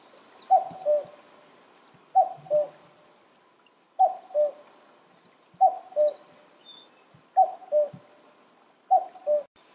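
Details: Common cuckoo calling at Senjogahara, Oku-Nikko, Japan, on 13 June 2022. It gives a clear, mellow two-note cuck-oo, with the second note lower. The call repeats about every two seconds, six times, with a quiet, still background.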